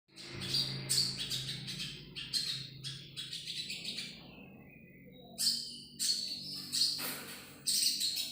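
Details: Common iora, locally called sogon, singing in bursts of bright high chirps and whistled notes with short pauses between phrases, over a low steady hum.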